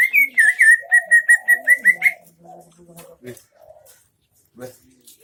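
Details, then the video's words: Greater green leafbird's 'isian MB' song from Aceh Tengah: a quick, even run of about ten loud whistled notes at one pitch, then quieter low chatter and scattered clicks. "cucak ijo isian MB"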